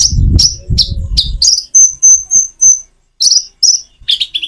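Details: Common iora, natural-pause song used as a lure for kept birds: a low rumbling rustle underlies the first quick chirps, then a clean series of thin high whistles, a pause, and further chirped notes.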